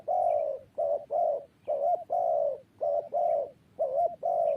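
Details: Spotted dove cooing loudly and close, with soft hoarse notes grouped as quick short coos and longer sustained ones. Some notes end in a slight upward inflection. The phrases run almost back to back.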